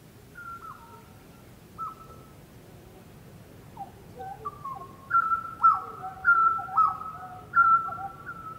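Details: Grey butcherbird singing in the Australian bush: clear fluty whistled notes around mid pitch, some held and some dropping or stepping, given in short phrases that grow louder and denser toward the end, over a quiet background.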